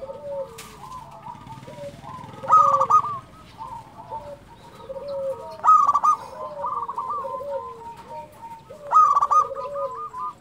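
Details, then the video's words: Local zebra dove, a keen singer used to rouse quiet caged doves and raise breeding drive: repeated stepped cooing phrases in two pitch layers, each starting with a crackling burst, about every three seconds, with faint low rumble early. "SUARA perkutut lokal gacor"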